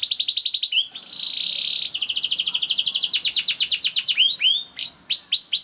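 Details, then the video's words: Young canary singing to spur other canaries to sing: a fast trill of repeated notes, a smooth buzzy roll, then an accelerating series of bright chirps and a few downward-curving whistles. "KENARI GACOR DOR NGEDUR NGOTOT CUIT CUIT NGEROL AMPUH PANCINGAN KENARI PAUD"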